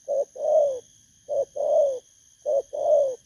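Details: Wild-caught spotted dove (thổ cấn) at a decoy session. It gives low cooing phrases, each a short note then a longer, falling note, repeated about every 1.2 seconds. A faint steady high hum runs behind.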